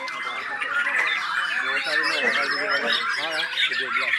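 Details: White-rumped shama in full song, running through its mimicked song material as a rapid, crowded string of chattering notes, short whistles and squeaky rising and falling phrases with no pauses.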